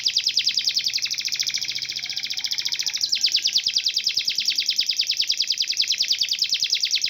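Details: Canary singing one long unbroken rapid trill of tightly packed, buzzy high notes, changing tone slightly after about three seconds, then continuing steadily to the end.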